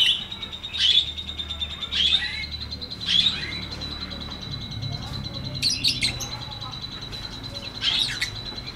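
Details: Long ngetik ngekek song from a lovebird: scratchy high chirp bursts roughly once a second, later spaced more widely, above a steady thin ringing tone and soft low rumble.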